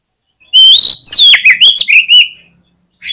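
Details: Oriental magpie-robin fighter song meant to stir rivals' aggression; a rising whistled note glides into a fast string of loud slurred whistles and sharp clicks, ending in a drawn-out falling whistle.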